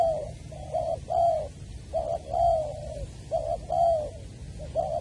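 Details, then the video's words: Cu gáy, the spotted dove, recorded at Long Đức, Trà Vinh, on 23 January 2020 while trapping a wild bird with a decoy: a continuous run of warm, burry coo phrases alternating short and long notes, with steady low hum. "Cu gáy Trà Vinh, Long Đức"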